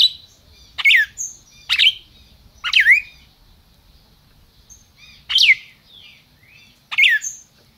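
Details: Captive red-crested cardinal, a 'máquina' bird kept by a registered breeder in Brazil, calling and singing: sharp, bright chirps sweeping steeply downward, given in short bursts with pauses of one to two seconds, over a quiet background.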